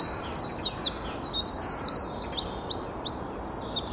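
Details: A Great Tit at dawn in Wales repeats a high, ringing two-note "teacher teacher" phrase rapidly, with a second bird answering nearby and other thin, high chirps overlapping in the background.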